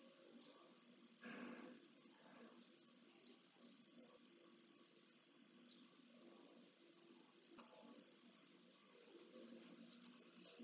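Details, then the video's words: Pallid swift feeding its single chick and exercising wings, Jerez de la Frontera, Spain, 15 September 2022: faint, thin, buzzy high notes in short repeated bursts, then a quicker run of chattering notes near the end, over low background rumble. "karmienie jedynaka"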